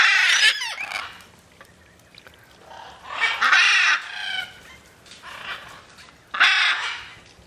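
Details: Macaws on the wing in free flight give about four coarse, loud squawks spaced a second or more apart, with quiet stretches between them.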